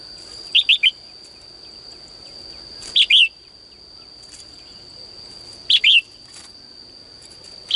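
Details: Female bird singing in a cage in the morning, calling to males; sparse short groups of two or three quick chirps spaced roughly every three seconds, with hiss and a steady high whine between.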